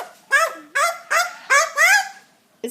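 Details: Pet Eclectus parrots chatting at home with their owner, who asks what animals say: five nasal, honking, harmonic-rich syllables in quick succession, each slightly rising, then a brief final note.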